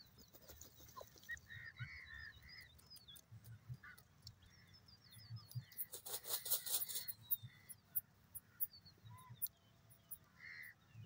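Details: Grey francolin, known locally as dakhni teetar, calling: a faint series of harsh, short notes repeated in an uneven rhythm, with thin high chirps from other birds and a brief burst of rustling noise midway.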